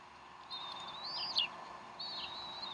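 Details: Decorah Bald Eagle nest on 12 April 2012, mid-afternoon, while the mother feeds her young: two long, high, wavering whistles, the first ending in a quick squeaky flourish, over a constant background hum.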